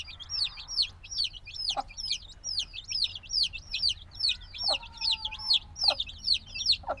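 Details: Several few-day-old black chicks peeping loudly, binaural recording; rapid shrill downward-curving cheeps pile up continuously, about two or more per second, with a brief lower whistle and some scratchy knocks beneath.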